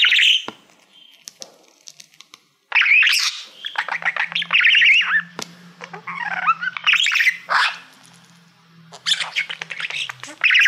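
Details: Indoor male budgie singing to a reflective plaque, a bubbling warble of chirps, clicks and squeaky whistles in uneven bursts, with a faint low hum underneath and a short quiet gap early on.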